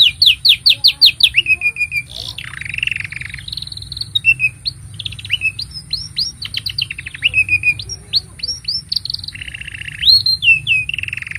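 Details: Extended canary song serving as a tutor for young birds and a prompt for mute canaries; rapid series of falling whistles open it, followed by harsh rolls, tremolo trills and bright slurred notes, with a faint high hiss throughout.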